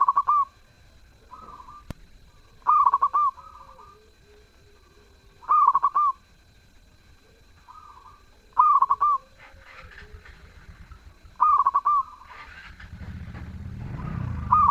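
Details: Zebra dove singing actively: a loud stuttering, bubbling coo phrase repeats about every three seconds. Fainter, smoother coos from other doves answer between phrases, and a low rumble builds near the end.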